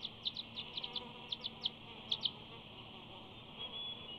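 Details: Bald eagle at its nest at Big Bear, recorded close to the nest camera on 5 June 2019 while preening, gives a series of thin, high chipping notes in irregular bursts over a steady background hiss.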